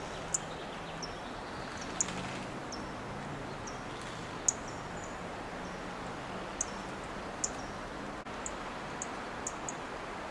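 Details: Dark-eyed junco (Junco hyemalis) on a Monterey pine branch gives about a dozen thin, very high tsip calls at an irregular pace, over steady background hiss and a low rumble.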